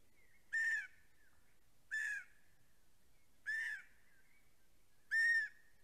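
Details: At a snow-covered nest in Estonia, a pair of greater spotted eagles caught by a nest camera on 14 April 2020: four sharp, barking yelps spaced about one and a half seconds apart, each short and harsh, over a quiet background.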